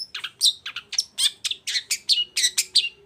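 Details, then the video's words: Long-tailed shrike in lively song meant to provoke a silent shrike to join in: fast, even series of about thirteen harsh, chattering notes in three seconds, some with sharp whistled tips, over a faint steady hum. "CENDET GACOR ❗RAJANYA DONGKRAK EMOSI CENDET DIAM LANGSUNG NYAUT GACOR IKUTAN BUNYI"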